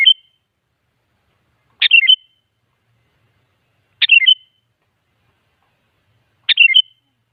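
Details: Sooty-headed bulbul, a lively singer played to coax other bulbuls into answering: bubbly phrases of a sharp note and quick slurred whistles, repeated about every two seconds in clean surroundings.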